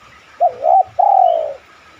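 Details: Single clear spotted dove phrase used as a lure to make doves coo: two short rising-falling notes followed by a half-second smooth, slightly falling coo.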